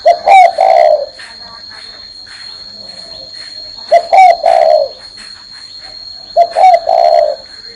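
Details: Spotted dove on a person's hand cooing three times, roughly every three seconds, each a low phrase of short notes ending in a longer falling coo, over a continuous high whine and faint ticking.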